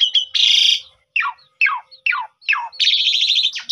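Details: Black-collared starling, jalak suren, singing as a lure for other birds: a harsh buzzy burst, then four or five steeply falling whistled slurs in even succession, ending in a long grating, rattling note; recorded on a phone.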